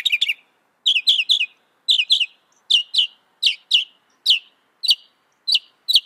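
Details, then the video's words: Mockingbird phrases of sharp, high, descending double and triple chips, repeated roughly every half second in a steady series, with faint clicking beneath. "Masteran Burung Kicau Mockingbird Gacor - Mockingbird Bird Sound"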